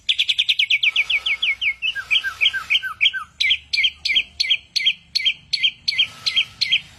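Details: Mimicking songbird delivering a fast string of high notes: a rapid slurred trill, then lower whistled drops, then loud crisp repeated chirps about three per second over a soft low hum.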